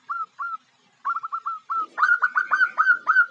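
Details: Zebra dove female, calling to lure a male, gives short soft coos, first spaced and quiet, then a faster louder series of rapid bright cooing notes.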